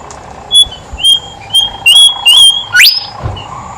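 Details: Horsfield's babbler singing freely, played as a lure for quiet babblers: a run of short, level, high whistles repeated roughly every half second, ending in a fast rising upward sweep.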